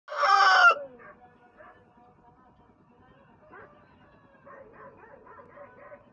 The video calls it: Rooster Sounds